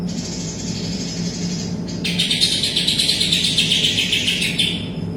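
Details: Greater green leafbird singing nonstop, with kapas tembak song mimicked within it. High thin notes give way to a quick chattering, buzzy stream of rapid pulses lasting nearly three seconds. Low hum throughout.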